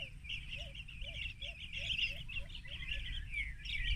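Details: Rufous-crowned bee-eaters digiscoped at Banna, Ilocos Norte, Philippines, March 19, 2021, 14:30, keep up a steady chatter of rolling, trilled chirps, while a short low note repeats about three times a second over a steady rumble.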